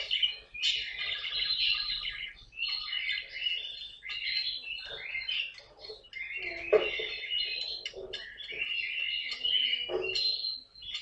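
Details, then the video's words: Caique kept as a pet at home, filmed being playful: rapid shrill chirps and scratchy squeaks in long runs, broken by short gaps and a few sharper, louder notes. "попугай каик!"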